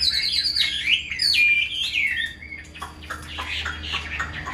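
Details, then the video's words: Tame hand-held caged Chinese hwamei, kept as a fighting bird, singing loud clear whistled phrases that swoop and slide between high and mid pitch, followed by a rapid run of short chirps and clicks; faint background hum. "Chim thuần sách tay hót, đấu tốt - Hoạt Họa Mi"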